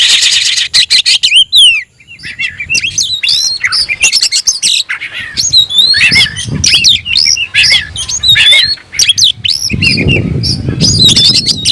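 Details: Kacer or oriental magpie-robin in strong song while seeking a rival: a continuous loud stream of varied whistles, quick slurred notes and harsh rasps, with a low rumbling noise toward the end.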